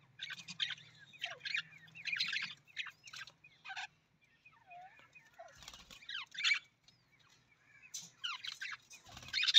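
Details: Budgerigar chirping and chattering in separate short bursts of squeaky, scratchy notes with a few soft lower whistles, quiet gaps between groups.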